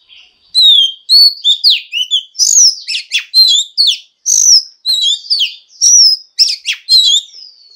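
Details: Female Oriental magpie-robin singing to stimulate males to sing: a rapid run of clear, varied whistled notes, sharp slurs and upward and downward sweeps, delivered in quick bursts with brief pauses and no other sounds.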